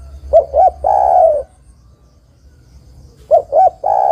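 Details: A spotted dove hen calls to attract a male, a sound used for luring birds: two calls about three seconds apart, each a pair of quick coos leading into a drawn-out mellow croon.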